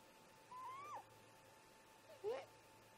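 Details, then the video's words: Great grey owl parents talk at the snag nest at about 04:25 in the morning: an upward-gliding whistled note is followed a second later by a louder, lower, rising call, over a steady background hum. "Great Gray Owl - Parents Have a Talk"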